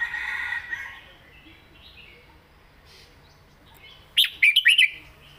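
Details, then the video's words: After a hazy murmur of background sound, a caged red-whiskered bulbul bursts into one short southern-style phrase of about five crisp whistled notes. "เพลงใต้สวยๆ!เม็ดกะจี้กหก/นกเสียงทอง(Bulbul bird)"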